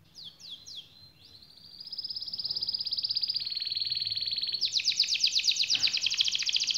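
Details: Canary song, long and rolling, offered as a tutor for reluctant singers: a few quick sweeping notes, then a sustained steady whistled tone, breaking into a rapid high rattling trill, with faint background hiss.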